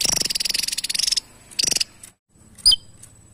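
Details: Lively Javan tesia recorded to tutor other songbirds, giving a long, very high buzzy rattle, a shorter rattle burst, a pause, then one sharp downslurred chip.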